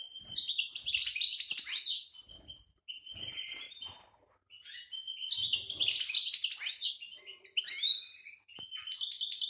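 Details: A European goldfinch in breeding condition, 2018 season, sings bright, liquid, tinkling twitters in rapid bursts about two seconds long, with short pauses between phrases; little else is heard.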